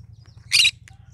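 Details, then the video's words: Cinnamon green-cheeked conure singing: a single loud, grating squawk followed by a faint short chirp, over a steady low hum. "Green cheek conure : Chinnamon conure singing to day so funny."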